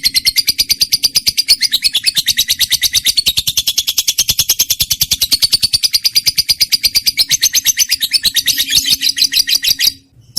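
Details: Trained lovebird, kept as a pet bird, delivering a long unbroken rapid trill of high chirping notes for about ten seconds, used as a lure to get reluctant birds singing.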